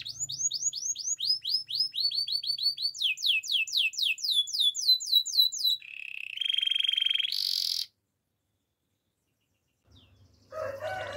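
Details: Russian canary singing fast trills of repeated rising notes that quicken and change pitch, then a buzzy sustained phrase, a pause of silence, and a brief low noise at the end.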